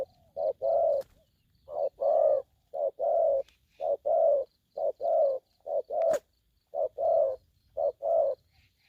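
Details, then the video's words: ['Aggressive spotted dove calling persistently, a steady run of deep, soft coos in short-long pairs repeated about once a second, with a few clicks and a faint thin tone behind.'] "Bổi thổ tơ hung hăng"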